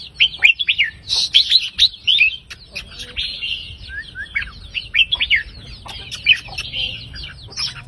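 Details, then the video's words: Red-whiskered bulbul from a counting-song line, delivering 3-4-5 note phrases to rouse other birds: clusters of quick, bright, chirpy whistles in bursts, with a few lower sliding notes in between. "นกกรงหัวจุกสายนับดอกเพลง 3-4-5 ยั้วนกฟังนกคึก"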